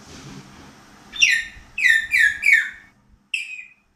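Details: Grey parrot (Psittacus erithacus), whistles.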